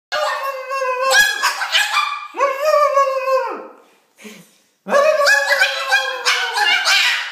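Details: Female pet Moluccan cockatoo, described as very talkative, vocalizing to a person on a couch: loud, drawn-out, rich harmonic utterances in two long bursts separated by a brief pause, with wavering, rising and falling pitch.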